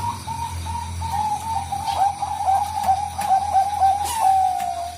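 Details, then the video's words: Bangkok zebra dove (perkutut) lure sound: a long, continuous, wavering cooed tone with slight pitch wobbles and soft clicks throughout, over a low steady hum. "pancinga suara Perkutut Bangkok"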